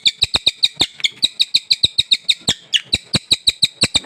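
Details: Newly acquired Sultan tit in full song: rapid, regular ringing notes, roughly five per second, each a bright chime with sharp clicking onsets, steady over four seconds.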